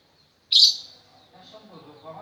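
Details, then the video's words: Lovebird learning to sing, said to be practising its chattering song, gives one loud, harsh, high chirp, then faint low rustling and background noise. "Burung Love bird belajar ngekek"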